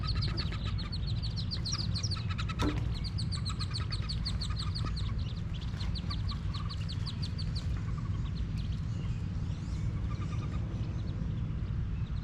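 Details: Wood duck ducklings leaving a nest box by jumping, recorded from beneath it: a dense chorus of shrill, falling peeps at first, thinning to scattered peeps later, with a sharp thump early on and constant low rumbling background noise.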